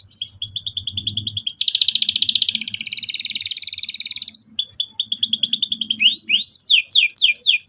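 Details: Loud canary lure song to set young canaries rolling: rapid repeated whistled notes run into a long dense buzzy trill, then more quick chirping series and sharp sweeping notes.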